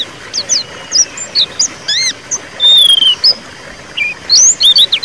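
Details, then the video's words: High white-eye calls in the ngeriwik style, used to get a silent bird singing: scattered thin chirps, arched notes and a long level whistle near the middle, over light hiss. "suara pleci ngeriwik pancingan pleci macet bunyi"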